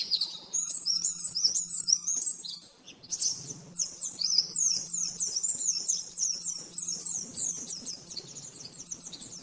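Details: Fast, clear oriental white-eye master song used to train caged birds: high rapid chirps and trills, a loud sweeping burst partway, then a steady twittering run over a faint low hum.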